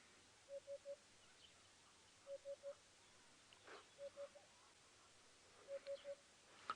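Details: A male African hoopoe at Djuma Game Reserve at about 6:30 AM on 12 November 2016, puffing its neck, gives soft, low hollow hoots in triplets, oop-oop-oop, about every one and a half seconds, to attract females; faint rustle and brief chirp.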